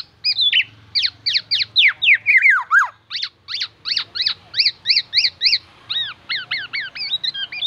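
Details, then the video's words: Black-naped oriole mimicking oriental magpie-robin and ambulance siren: steep downward whistled strokes, a tumbling falling phrase, then a measured series of clear arched whistles and upturned hooks. "KEPODANG EMAS TELER BONGKAR ISIAN MURAI BATU DAN SIRENE AMBULANCE"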